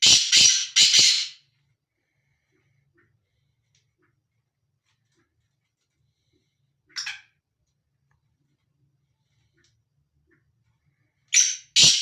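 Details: Black francolin roaming free, giving a burst of three rasping, hoarse notes close together, then a long silence, one brief scratchy note, and a final pair of harsh squawks at the end.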